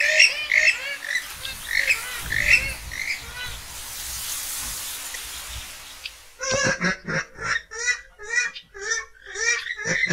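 Western Swamphen giving loud, nasal honking and squawking calls, first in a rapid babbling run, then as sharp separate hoots, with soft background hiss between.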